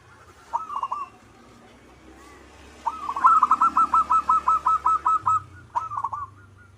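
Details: Local perkutut, or zebra dove, in vigorous manggung song: a brief rolling phrase, then a long run of about twelve evenly spaced staccato coos, closed by another short trilled phrase over low background hum.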